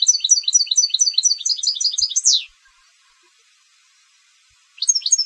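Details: Competition goldfinch singing a bright run of repeated high twitters that closes on a sweeping slur, silence, then the next phrase starting.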